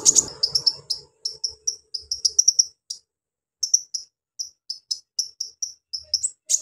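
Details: Brown-throated sunbird, called kolibri ninja locally, singing a coarse song to provoke untrained sunbirds: a long series of short, high, sharp chip notes in irregular clusters, a brief pause, then the chipping continues steadily.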